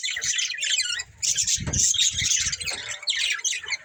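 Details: Pair of breeding budgies chattering in loud bursts of high, harsh chirps and squawky notes, briefly pausing near one second, with low thumping sounds underneath.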